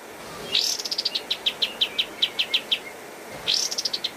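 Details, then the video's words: Pied triller in vigorous master song for training cage birds: a sharp opening note leads into a run of repeated high chips that slow gradually, then the phrase starts again. "Masteran Kapas Tembak Gacor Terbaik 2022"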